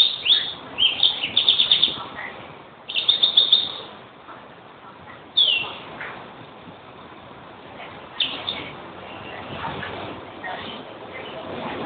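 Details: Greenfinch giving three loud trilled bursts in the first six seconds, then fainter twitters over steady background hiss.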